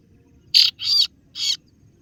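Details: Kaso-kaso bird calling to lure rivals: three grating, high-pitched buzzy notes, the middle one longer, over quiet background.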